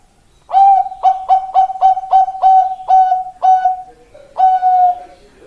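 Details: Bangkok-type male zebra dove sings a fast series of about ten staccato coos on one pitch, slowing slightly, with a lower pause note before a final long sustained coo.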